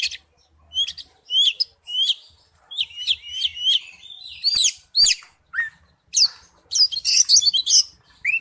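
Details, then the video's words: Oriental magpie-robin wild-type forest song made of repeated paired high notes at a steady pace, then sharp clicks and a tangle of varied high twitters. "Chim chích chòe than hót giọng rừng"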